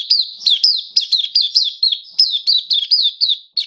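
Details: Oriental white-eye, a hobby cage bird recorded 11 September 2022, sings a steady string of bright, high, down-slurred chirps, about three or four per second, clean and uninterrupted in a quiet setting.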